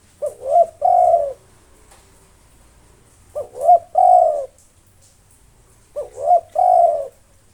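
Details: Spotted dove of local stock, a steady long-breathed singer used to draw out rivals, gives three mellow coo phrases: quick clipped note, swelling coo, and a sustained low coo, separated by about two seconds of quiet.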